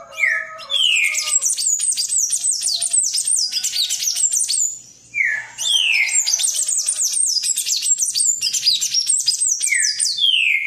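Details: A palm tanager sings at length: bursts of frantic, squeaky high twittering, each introduced by a downward-slurred whistle, with one short break mid-song before the chattering resumes just as fast.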